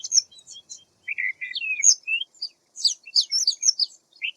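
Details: High, clear chirps from a white wagtail (Motacilla alba), some sliding down, come in two loose groups split by a short silence. The second group is faster and busier, over a clean, quiet background.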